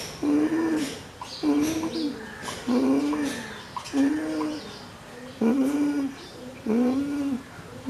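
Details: Dove cooing: a series of soft, low, slightly arched hooting notes, each under a second long, repeated about every second with a steady rhythm against faint background hiss.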